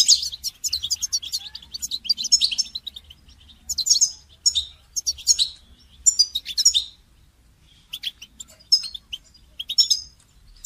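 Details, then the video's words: Goldfinch song used in song training, made of repeated high, jangling twitter phrases about every one to two seconds, each a quick cascade of bright, tinkling notes, with a short quiet spell midway. "Motivating goldfinch song training inspiring melodies and techniques"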